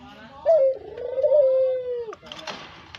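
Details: Caged brown Barbary dove calling as a lure: a single long coo opening with a clipped high note, then a soft, even rolling hum for over a second, ending in a faint downward slide, with some rustling after.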